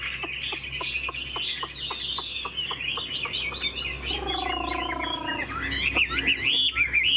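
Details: A captive Chinese hwamei, likely a male, sings a rich, varied string of loud whistled and warbled phrases over steady ticking clicks, with a low hum underneath.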